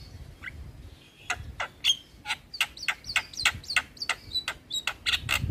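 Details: Javan myna (jalak kebo), described as singing vigorously, in a training-song compilation for caged birds: a rapid run of sharp clicks and chirps with whistled inflections, about three notes per second, with faint low background rumble.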